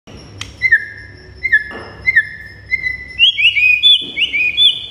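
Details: White-rumped shama song used as a training recording for cage birds: clear downslurred whistles repeated about every 0.7 seconds, then higher, quicker twisting whistled notes, with a faint low hum behind.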